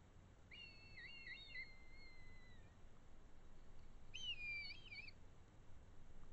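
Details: A red kite in the Eifel, Germany, gives two thin, wavering whistles: a long quavering cry that sags at its end, then a shorter trilled one, over low wind rumble.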